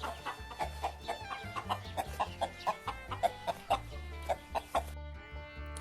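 A hen clucks in short, mid-pitched notes about twice a second, unevenly spaced, over a steady background of music.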